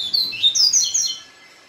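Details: Papa-capim singing its Israel-style song after a day with a female: a quick string of high, sliding whistles, some dropping and some rising, packed into about one second before fading.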